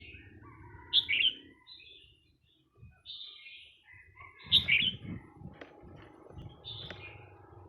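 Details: Red-whiskered bulbul song: bright, bubbly warbled phrases given in short bursts, the loudest at about one second and again near four and a half seconds, with low rumbling and knocking sounds underneath.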